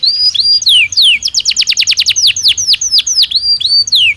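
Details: Belgian canary singing naturally: varied whistled sweeps, some rising and some falling, merging into a quick run of steep descending notes, then slower looping whistles; loud, clean and close.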